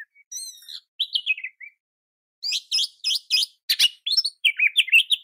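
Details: Oriental magpie-robin (kacer) singing a training song meant to provoke other kacer into emotional, continuous singing: varied whistled phrases with rising-falling slurs and harsh buzzy notes, quick bursts with short pauses.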